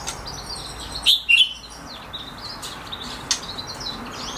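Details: Two-month-old goldfinch hybrid singing, a young bird's song. A short burst of high chirpy notes, two quick twittering phrases about a second in, then sparse faint ticks over a steady noisy background.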